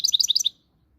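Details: Brief fragment of Moroccan European goldfinch song: a quick run of about eight sharp, high tinkling notes lasting half a second, then silence.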